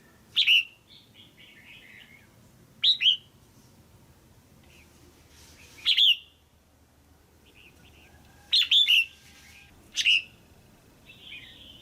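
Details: A caged female red-whiskered bulbul calls to stimulate a male or for pairing. About six sharp, descending chirps and double notes come at irregular intervals, with faint warbling between them.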